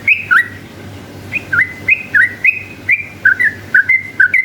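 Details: Lively yellow-vented bulbul singing a long, rapid song meant to provoke rival bulbuls into replying; bright whistled notes alternately dropping and rising, delivered in quick pairs about twice per second over a faint low hum.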